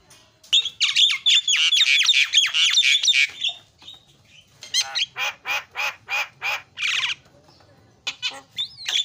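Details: Javan myna 'isian' song, a lure recording to prompt birds to sing: a loud rapid chattering run for three seconds, then a measured series of grating notes and a short whistle near the end.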